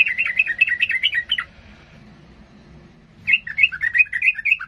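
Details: Excited sooty-headed bulbul, singing to goad rivals into a fight, delivers two bursts of quick, rollicking warbled notes separated by a short pause, over a gentle low background hum.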